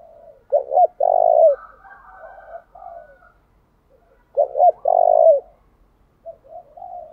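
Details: Lure spotted dove kept as a decoy, cooing in the driving 'thúc' style and changing songs often. Two loud phrases of double hoots plus a long coo, with quieter wavering gù notes between and after.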